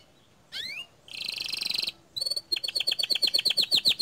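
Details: Song of a bottle-green canary in 'tembakan' shooting style that provokes other canaries: two rising slurred whistles, a dense buzzing rattle, then a fast run of about twenty sharp repeated chips.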